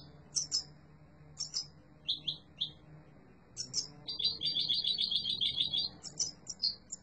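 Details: Yellow mutation European goldfinch singing: scattered sharp, high chirps, then a sustained buzzy, trilling twitter run, with soft low background hum audible underneath.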